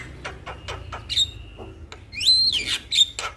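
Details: Male Javan myna in full song, used to spur other mynas to sing: sharp clicks and rasping notes, then a bright whistled rise and level note, with a steady low hum beneath.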